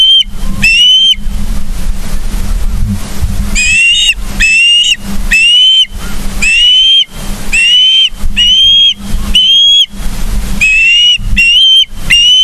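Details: Charlo, Montana ospreys on 31 August 2023, 09:36 morning live cam: long series of loud whistled yelps roughly once a second, slightly upslurred, with a brief lull early on and low hum beneath.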